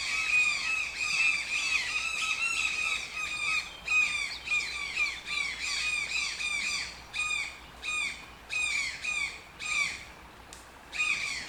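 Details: Toucan calling insistently: a long series of harsh, croaking squawks, about two per second, each note arching briefly and then dropping. The rhythm stays fairly steady, with a few short pauses near the end.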